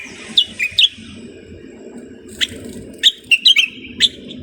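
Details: Common bulbul in Morocco uttering short, clear whistled notes and a brief rippling phrase, the notes spaced irregularly against a low steady background hum.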